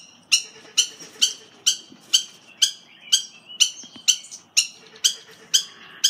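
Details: Ross's turaco (Lady Ross turaco), a captive aviary-raised bird, gives a steady series of harsh, raucous squawks, about two per second, with a faint low hum in the background.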